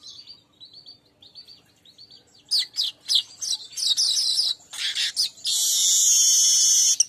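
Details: Weaver lure sound: soft high twittering notes, then a burst of loud, harsh chirps, ending in a long continuous sizzling buzz.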